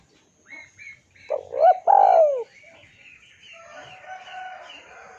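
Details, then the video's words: Lure recording of a spotted dove calling a rival: short soft notes, then a clear stepped coo ending in a long falling note, followed by a wash of faint mixed bird chatter. "PANCINGAN SUARA BURUNG TEKUKUR DERKUKU MEMANGGIL LAWAN IKUTAN BUNYI"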